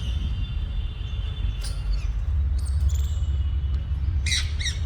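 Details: Uncaged, free-flying parrot hens playing a statue game with each other; a few harsh squawks midway, then a quick burst of sharp, ringing double squawks at the end, all over a steady low rumble.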